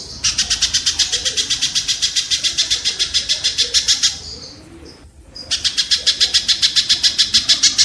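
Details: Kingfisher, used as rapid-fire tutor audio for songbirds: a long, steady chain of buzzy, grating notes at about three to four per second, a one-second break, then the series starts again.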